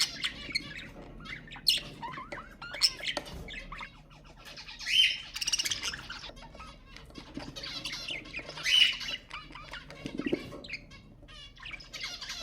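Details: Budgerigar sounds meant to stimulate budgies: long stretch of rustling, clicking and soft warble with occasional louder squawky bursts and faint wing flutters.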